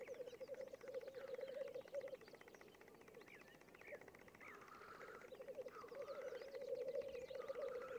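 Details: Black grouse at a lek: continuous low bubbling, rolling coos in long runs, with rising whooshing hisses and scattered higher calls from other birds over it.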